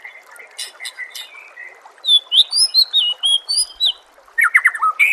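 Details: Masteran recording of White-rumped shama: soft low chatter at first, then a run of clear, high whistled notes repeated several times a second, ending in a burst of fast, tumbling phrases.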